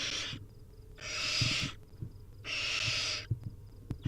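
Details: Barn owl chicks begging at feeding time in a wild nest: two long, broad, wheezing hiss calls nearly a second each, plus the start of a third, over light scuffling.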